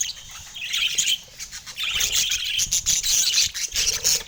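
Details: Happy budgies sing on a sunny San Diego morning: busy, high-pitched chirping and warbling from several birds, growing louder and denser after the first two seconds.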